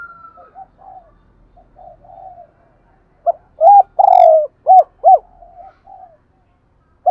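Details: Spotted dove serving as a lure bird: quiet murmured notes give way to a loud burst of short hooked coos around one long, falling note, then soft cooing and a final short note.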